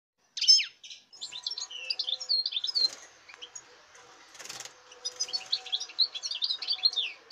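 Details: European goldfinch from this season's breeding, dated 05.08.2019, singing fast tinkling twitters and buzzy notes in two bursts separated by a brief pause with a short noisy rustle, faint low hum beneath.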